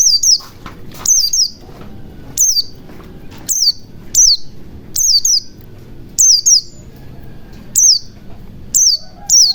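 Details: White-eye song aimed at starting silent birds singing in forest style: steady, very high, falling chirps in twos and threes, about ten bursts spread evenly, over low background noise.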